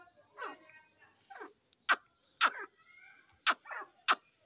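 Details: Grey francolin, a pair known locally as dassi teetar, calling with softer descending rasping notes that build into loud, abrupt harsh strokes, about four strong notes roughly half a second apart near the end.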